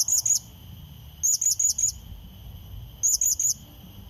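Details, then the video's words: Blue-crowned hanging parrot calling to attract and provoke a rival: three clusters of two to four shrill, very high, slightly bent chirps, groups spaced roughly 1.5 seconds apart, a steady faint high hum and soft low rumble underneath. "Serindit Pikat Memanggil Lawan | Bunyi Pancingan"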